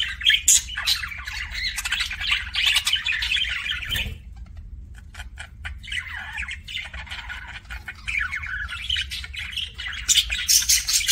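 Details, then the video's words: Budgerigar kissing sounds from a pet bird: bursts of fast scratchy chatter and clicks, a brief silent gap around the middle, then renewed chattering bouts, over a steady low hum. "BUDGIE KISSING SOUNDS"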